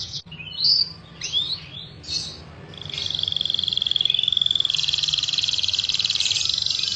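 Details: Canary song with Orange-headed Thrush material: a few scattered swooping whistles, then a long, level, rapid high trill that broadens into a buzzy rattle.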